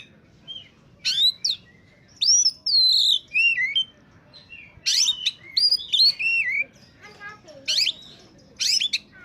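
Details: Oriental magpie-robin singing in top form, a recording meant to lure birds: clear whistled phrases sliding down, mixed with scratchy bursts, separated by short pauses over a faint background hum.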